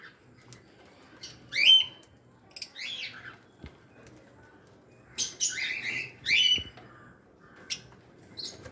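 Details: African lovebird colony in an aviary, including lutino, Fischer's and blue-masked birds: sharp, high squeaky chirps in scattered bursts, some overlapping, with quiet gaps and faint background rumble.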